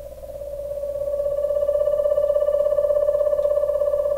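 An owl gives a steady, mid-pitched monotone trill of rapid pulses lasting about four seconds, swelling slightly louder as it goes. No other sounds intrude.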